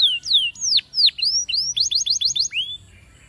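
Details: Spanish timbrado canary, training song: loud downward-sweeping whistles, a series of short rising notes, then a quick string of clipped chips before the song stops.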